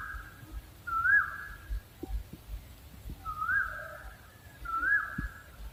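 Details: Owl giving three smooth whistled notes, each with a brief upward sweep before levelling off, spaced unevenly over a few seconds, with soft low-pitched thuds in the background.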